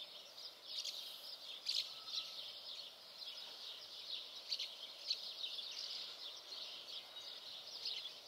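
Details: Common house martins chattering in fast, high, scratchy chirps that rise into brief louder bursts every second or so, the calls overlapping continuously over faint background noise.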